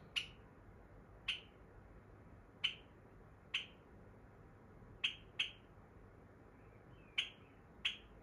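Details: Pet Java sparrow calling indoors at bedtime, energetic while its owner wants to sleep: short sharp high chips, single or paired, about every second, with faint room hiss behind.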